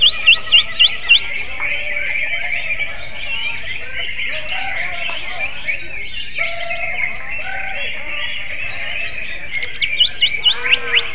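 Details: Greater green leafbird singing a song in the style of the oriental magpie-robin: a dense, continuous run of warbled and chattering notes, with bursts of sharp repeated whistles at the start and near the end.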